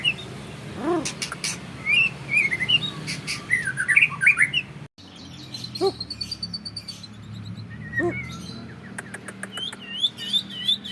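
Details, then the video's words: Champion-line white-rumped shama, kept caged, sings quick slurred whistled phrases and a rapid buzzy trill, with clicks and brief low notes among them. "Burung Murai Batu Trah Jawara Vegas BF Tembakan Panjang Bikin Musuh Down Mental"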